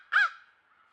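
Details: A single short, harsh caw from crows at a watering hole, recorded by a trail camera near a country home; the call rises then falls and fades into a quiet, faint background hum.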